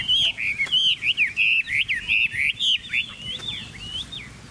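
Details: Chinese hwamei delivering loud, clear looping whistles, several notes a second, each bending sharply up then down, the phrase softening and slowing in its final second.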